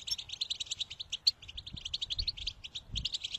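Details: European goldfinch song meant to encourage another goldfinch to sing: continuous fast twitter of short bright notes and trills with a few louder sharp chirps, slight low background hum.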